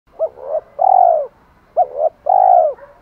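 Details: Spotted dove giving challenge calls and calls to hens: two cooing phrases, each of two short quick notes followed by a long, loud, slightly falling croon, about 1.5 seconds apart. No other sounds.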